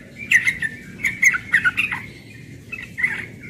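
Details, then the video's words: Young yellow-vented bulbul, morning ropel song: a cluster of bright, bubbling notes, a short gap, then another quick phrase. "Trucukan muda ropel pagi"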